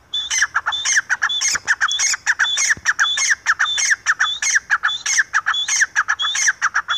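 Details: Francolin (teetar) calling loudly: harsh, squawking notes in rapid, fairly even bursts, about one and a half per second, continuing throughout with little pause. A quiet background.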